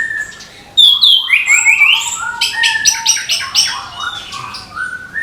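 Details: Morning song of an orange-headed thrush, used to encourage young birds to open up: a loud sudden start, then sweeping whistles and rapid stuttering notes packed into a fast, varied phrase.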